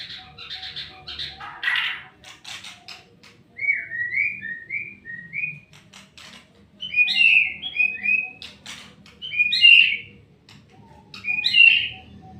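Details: Singing white-rumped shama starts with harsh chatter, then gives a series of short, sliding, clear whistled notes, building to louder rich whistled phrases every couple of seconds.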